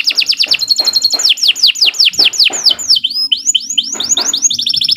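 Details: Long, non-stop canary song meant as a master recording for tutoring young birds: rapid runs of repeated down-slurred whistles, then a run of up-slurred notes and a quick high rattle.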